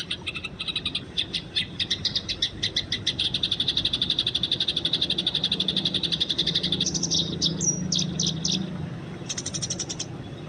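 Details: Eurasian tree sparrows fighting in the wild, a recording meant for training: long rattling chatter of rapid high chirps, later broken into short sharp bursts.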